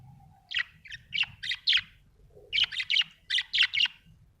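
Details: Budgerigar chirping happily in quick runs of sharp, high, twittering notes, two fast bursts of about six chirps each separated by a brief pause, over a faint low background hum.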